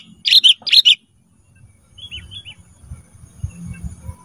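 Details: Caged ruby-throated bulbul, kept for training other cage birds, gives two quick pairs of harsh, buzzy chattering notes. Faint whistled notes and low background rumble follow.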